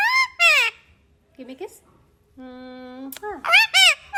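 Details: Talking Indian ringneck parakeet kept as a pet, giving shrill arched squeaky syllables, soft murmured sounds, a long flat nasal tone held about a second, then more high bent squeaks.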